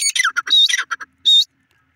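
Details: Several short grating squawks from francolin chicks (Iranian desi teetar), then a brief pause, one last harsh note and quiet.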